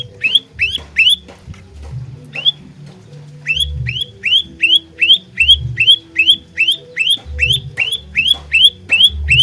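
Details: Olive-backed tailorbird lure song for trapping, fighter type: bursts of loud rising whistled notes sweeping upward, repeated about two and a half times per second, with a brief pause early on and low rumbling noise beneath.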